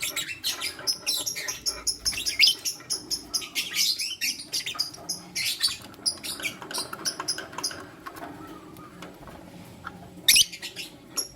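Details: Lutino lovebirds, a male choosing between two females, morning: a steady rapid stream of high, scratchy chirps, thinning out later, with one sharp loud call near the end.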